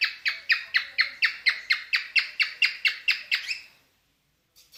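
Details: Mating-mood cockatiel song: fifteen coarse, harmonically rich notes sliding downward, evenly repeated about four per second, ending with a rising note, then near silence.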